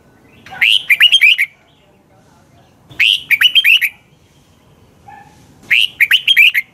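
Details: A red-whiskered bulbul sings in the morning on a lure recording for training: three bright, chirping phrases, each with a rising note and several quick warbled syllables, repeated roughly every two and a half seconds.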